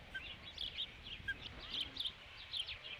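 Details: Osprey at its nest at Dunrovin Ranch on 3 July 2016, at the fifth fish delivery; short bright whistled chirps tumbling in quick succession, a couple of lower single notes between, faint background hiss.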